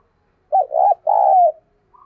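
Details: Spotted dove kept as a decoy bird, thúc rousing call to spur other doves: a quick wavering note followed by a sustained, slightly falling hollow coo, recorded clean against silence.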